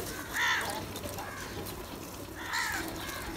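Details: Two hoarse crow caws about two seconds apart, each short and slightly arched, over a noisy background while crows fight and call for food.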